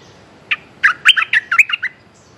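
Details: Streak-eared bulbul calling a mate: one sharp chirp, then a quick tumbling run of about seven bright, chattering notes.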